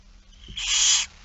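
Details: Begging barn owl at feeding time, 8 September 2019, afternoon: a single rasping, breathy hiss lasting about half a second, rising out of a quiet background after a faint low knock.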